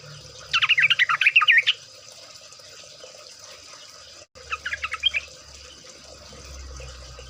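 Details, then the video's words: Sooty-headed bulbul (trucukan) singing actively in rapid ropel style, used as a lure to get birds singing; two quick bursts of bubbling, chattering notes, the second shorter, with faint low rumble and hiss behind. "pancingan trucuk bahan ombyokan.., pancingan trucuk agar bunyi, trucukan ropel, trucukan gacor.."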